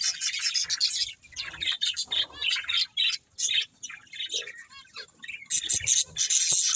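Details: Budgies chattering continuously, a scratchy high warble with quick trills and short squawky notes overlapping, getting louder near the end.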